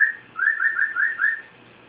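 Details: Six bright, rising whistled notes in quick succession from a pet cockatiel, with no other sounds.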